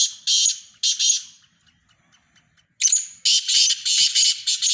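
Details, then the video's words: Black francolin, called Sindhi teetar, from a mix of francolin voices: two harsh, raspy high bursts open, then a silent gap, then a run of about five rapid grating notes delivered close together and loud. "مکس کالے تیتروں کی مکس آوازیں سندھی تیتر"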